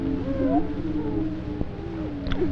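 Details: Male greater prairie chickens booming in spring on a Missouri booming ground, circa 1958, recorded from a blind: a sustained low moaning drone, with a few higher whoops and a sharp click.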